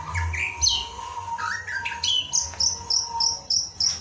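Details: White-rumped shama in full energetic song, used as a training recording for other shamas: varied clear whistles and slurred notes, then a series of bright downslurred whistles repeated about three times a second.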